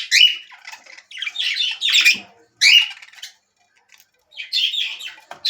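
Budgerigar chatter: harsh, scratchy squawks and warbles in quick bursts with brief pauses.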